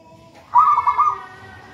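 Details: Local wild zebra dove from a raja banana plant nest, in energetic song: one brief bubbling, pulsed coo phrase rising out of a soft background hum.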